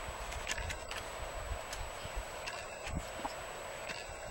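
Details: Waved albatrosses (Phoebastria irrorata) bill-clacking in courtship ritual at Punta Suarez, Española, Galapagos: sharp wooden clicks in loose bursts, roughly every half second to a second, over steady wind and surf noise.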